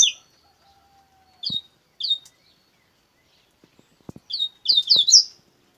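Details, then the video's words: Double-collared seedeater in the coleiro bruto song style: isolated sharp high downslurred chirps at intervals, then a quicker, louder flurry of slurred notes at the end, with several dry clicks and taps between phrases. "coleiro bruto"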